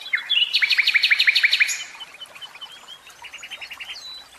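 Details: Common nightingale in captivity singing a loud run of about ten rhythmic, rising repeated notes, followed by softer, quicker pulses and a thin whistle.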